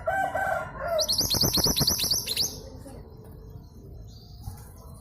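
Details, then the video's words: Female local East Java long-tailed sibia, used as a lure to get silent males singing: a rapid run of about ten high, upslurred chirping notes lasting roughly one and a half seconds, then quiet background. "MANTENAN GUNUNG GACOR"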